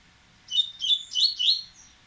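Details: A Dubois's seedeater of the slate-coloured 'ardesiaca' form, described as impetuous, gives four quick bursts of high, sweet, slurred notes in just over a second. The background is quiet.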